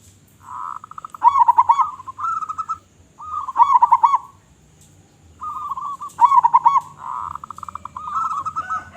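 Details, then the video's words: Zebra dove of a local strain in strong, loud song: repeated rolling, warbling coo phrases with staccato pulsed starts and brighter wavering centres, roughly every two seconds, some overlapping as if answered by a second bird. "Perkutut Lokal Gacor Suara Besar"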